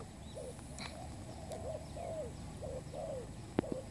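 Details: Newly kept spotted dove serving as a trapping decoy. Gentle coo notes run in a loose series, and a sharp click sounds near the end.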